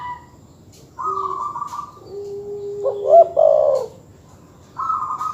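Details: Master-call recording of terkukur or perkutut doves meant to anger rivals: a trilled higher note, a long low coo rising into loud accented coos, then a final higher trill.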